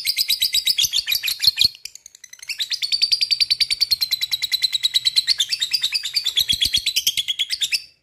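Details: Lovebird giving a long, rattling chatter meant to spur other lovebirds into song: dense, rapidly repeated harsh high notes in two extended bursts separated by a short pause.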